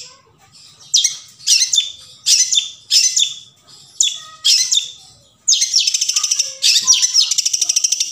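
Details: Forest long-tailed shrike, sound meant to prompt a non-singing shrike to sing: harsh grating phrases spaced under a second apart, followed by a fast buzzy trilled rattle.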